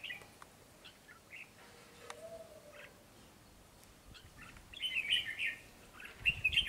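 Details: Red-whiskered bulbul, wild-caught and described as a frequent, speedy singer. Short scattered chirps build to two loud runs of rapid warbled notes near the end, over a low background noise.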